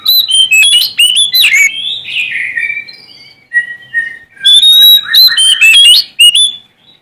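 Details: Sumatran Oriental magpie-robin singing to challenge rivals: varied loud whistled phrases, sharp rising and falling notes with brief harsh bursts, a short pause midway, then a rapid run of bright whistles.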